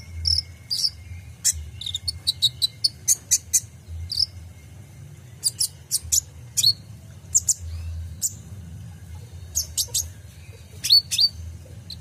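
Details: Kolibri ninja (purple-throated sunbird) full song used to tutor caged birds: scattered sharp high chips and short twittering clusters with gaps of silence between, one faint steady tone, low hum underneath.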